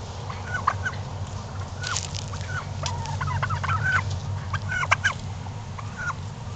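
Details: Domestic turkeys kept by their owner, strutting, give rapid rattling gobbles in scattered bursts over a steady low background hum, with a few short clucking notes between them.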